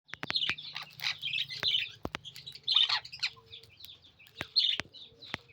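A sun conure gives harsh, high chattering squawks in short bursts, with sharp clicks and a low hum.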